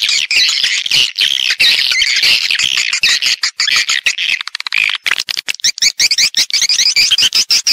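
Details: Attraction sound for swiftlet farming, meant to lure birds to roost and nest. Thick, high chattering twitter gives way midway to fast trains of crisp clicks mixed with wavering chirps.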